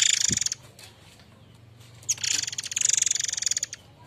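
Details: Rasping notes from a white-rumped shama (murai air mancur), used as a lure for training other birds. Short rattle at the start, a soft low thump, a quiet gap, then a long buzzy pulsed rattle lasting over a second.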